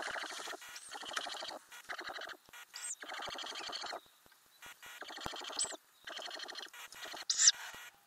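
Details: Ural owl in a nest box with owlets, filmed in May from inside the box. Long bursts of buzzy, pulsed chattering, broken by short pauses, with a few sharp high squeaks.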